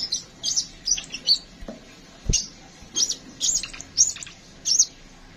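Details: Dense run of high, slurred sunbird chirps from a kolibri ninja, fast and slightly buzzy, repeated roughly every half second, one low knock in the middle.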